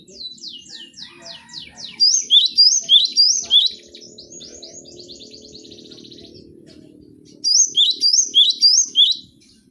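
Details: Gelatik batu, or cinereous tit, song for cage-bird training: a descending series of rapid thin notes, then two runs of quick high whistled two-note phrases, with a soft low hum underneath.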